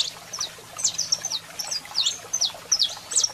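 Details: Male saffron finch song with female calls: spaced high chirps and descending slurred notes, roughly two to three per second, irregular timing, soft hum below.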